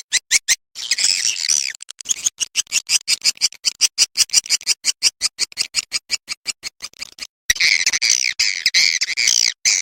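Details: Swiftlet lure sound of the style called Ratu Birahi, used to attract swiftlets: rapid, dense bursts of high, scratchy chattering clicks and twitters, pulsing many times a second with brief gaps and a fuller, continuous stretch near the end.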